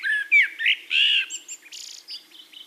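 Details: Singing Eurasian blackbird (Turdus merula) in Castricum, the Netherlands: a few loud mellow fluted notes followed by thin, high squeaky twittering fragments trailing off.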